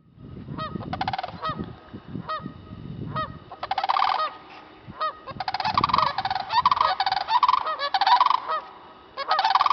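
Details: A pair of sandhill cranes calling at Kensington park give loud, rolling, rattling bugles that overlap in bursts, with low rumbling noise early on.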